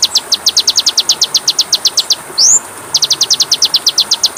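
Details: Masteran of Oriental magpie-robin for training caged birds. Rapid, evenly spaced high ticking notes are broken once by a single rising whistled slur, then the fast ticking series resumes.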